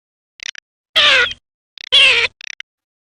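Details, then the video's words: Garganey calling, presented as a duck hunting sound: two loud nasal, harmonic calls about a second apart, each falling slightly, with faint short clicking bursts before and after them. "صوت الحذف الصيفي (شترف)|| Garganey Sound"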